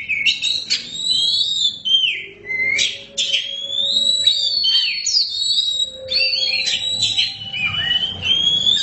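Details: Kept Oriental magpie-robin of the black form (kacer hitam) singing: clear, pure whistled notes that rise and fall, broken by short chirpy bursts, with a faint low hum in the background.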